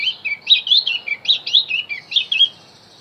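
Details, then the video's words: Javan white-eye song meant to lure wild birds: lively high warbling twitters, about ten quick slurred notes in two and a half seconds, then silence. "opior Jawa pasti nyaut pancing dengan Opior Jawa ini"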